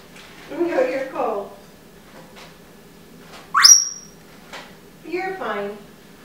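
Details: Indoor pet African grey parrot, fond of pine nuts, talking about them being gone: two speech-like phrases separated by a sharp upswept whistle, in a quiet room.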